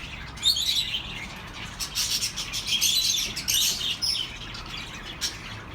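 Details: Budgerigars twittering for lonely pet birds: steady stream of high buzzy chirps and warbles from several birds, a loud sharp note early and denser chatter in the middle, soft hiss behind.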